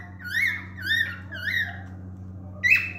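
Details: Male cockatiel whistles three smooth rising-and-falling phrases in an even rhythm, then after a gap a sharper squawked note, with a faint hum behind.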